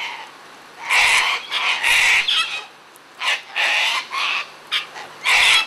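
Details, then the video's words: Feeding Sulphur-crested cockatoos, a group of parrots at play, screech repeatedly with loud raucous rasping squawks, about eight bursts in under six seconds, some overlapping. "Sulphur Crested Cockatoos Playing"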